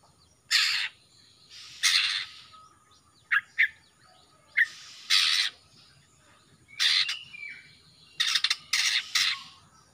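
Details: Young male greater green leafbird from Kalimantan, just out of juvenile spotting with black starting on the front of the neck, singing actively: loud harsh chattering bursts and short sharp notes at irregular intervals, with quiet low hum behind.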